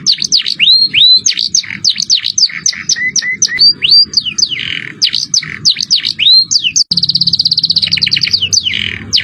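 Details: Canary singing 'cengkok mewah' luxurious song as masteran: a chain of sharp dipping notes and rising slurs, then an abrupt switch to a rapid, very regular high rattle with buzzy tones.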